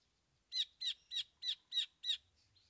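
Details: Long-tailed shrike (cendet) singing its 'isian' filler material: a run of six loud, rasping, high notes at an even pace of about three a second, then a faint squeak.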